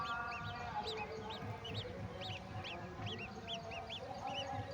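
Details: Golden oriole feeding a mantis to its chicks. Short arched chirps repeat steadily, about three to four a second, over a constant low hum.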